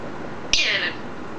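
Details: Pet green eclectus parrot producing a brief click followed by a breathy, hissing, speech-like high burst that trails off quickly.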